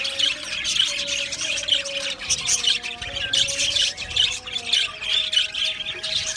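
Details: Budgies from Australia chirping in an aviary colony: a steady wash of high, buzzy chatter and repeated squeaky notes, with a faint wavering low tone running beneath.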